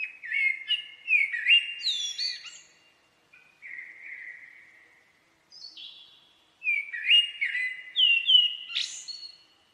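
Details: Common blackbird singing: mellow fluted warbles that slide between low and mid pitch, each phrase ending in a thin, squeaky high twitter, with a pause of several seconds between phrase groups. No other sounds.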